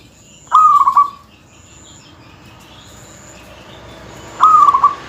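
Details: Local zebra dove singing hard with a dense voice to tease rival males: two stuttering coo phrases, each a quick run of notes into a held tone, about four seconds apart over a low hiss.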